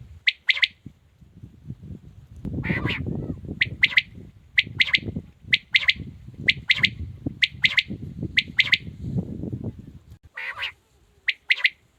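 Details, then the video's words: In a village setting, a male quail gives sharp, high, clipped notes in quick pairs and triplets, about once a second, over a low background rumble; quail. "Amazing quails calling | batair ki zabrdast awaz"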